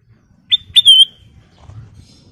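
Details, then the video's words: Sooty-headed bulbul in full song. Two quick clear notes lead into a longer bright whistle, all high and sweet, over faint low background rumble. "Kicau Burung Kutilang Emas Gacor full version"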